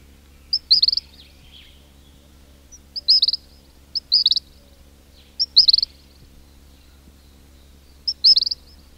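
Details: King cormorants calling at close range in their colony, chicks giving whistles and adults grunts: five or six tight bursts of high, rapid whistled notes spaced roughly one to two seconds apart.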